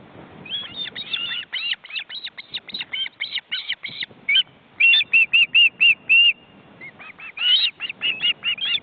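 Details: Ospreys at a crowded nest in an Estonian forest reserve, filmed by a live webcam, chicks flapping their wings. Fast shrill chirping, then a run of steady, evenly pitched piping notes, then chirping again.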